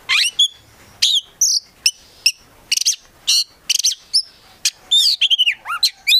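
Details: Kept Oriental magpie-robin singing gacor with full isian: sharp separated chips and short harsh bursts spaced irregularly, ending in a tumbling series of descending whistled slurs.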